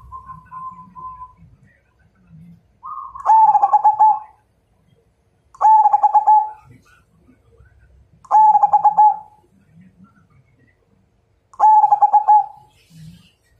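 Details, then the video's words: Challenge-to-fight song of a Majapahit zebra dove. A faint, even coo opens, then four loud phrases follow at roughly three-second intervals, each a rapid stammered burst ending in a drawn-out coo. "Suara Perkutut MAJAPAHIT Ngajak Tarung"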